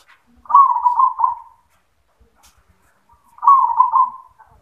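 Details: Yoman-style song of a zebra dove: two separate bubbling, pulsing coo phrases, each near a second long and fading at the end, with quiet gaps and faint ticks between.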